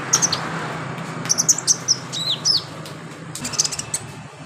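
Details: Brown-throated sunbird in a singing-therapy recording for kept birds, with clusters of high, sharp chirps and a few downslurred whistles, then scattered notes. A low hum and hiss sit beneath.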